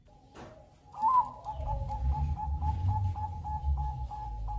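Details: Bangkok-type zebra dove singing steadily to draw other birds into song: a run of short, even cooing notes repeated about four times a second at the same pitch. A low rumbling hum runs underneath.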